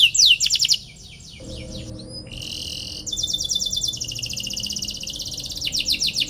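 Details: Canary song used to provoke rival birds into singing: fast high trills and rapid repeated down-slurred chirps, a buzzy rattling phrase, then long rolling trills with a short pause, all high-pitched.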